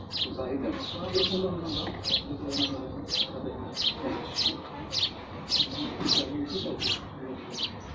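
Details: Repeated chirping of sparrows, clipped bright notes at about two per second, fairly regular, over a low murmuring background.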